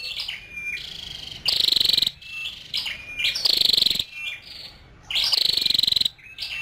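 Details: A female scarlet-backed flowerpecker repeats high, buzzy pulsed trills about every two seconds, each led by a short rising note, with thin level whistles in the gaps.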